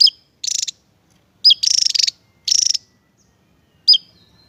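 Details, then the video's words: Javan tesia song: sharp high whistled notes alternating with rapid buzzy trilled bursts, each under half a second, repeated about every second in a quiet setting. "tesia jawa"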